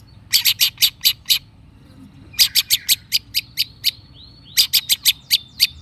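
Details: Long-tailed shrike calling in quick bursts of hard, rasping chack notes, four to six per burst, separated by short pauses with faint thin whistles; a lure to make silent shrikes respond.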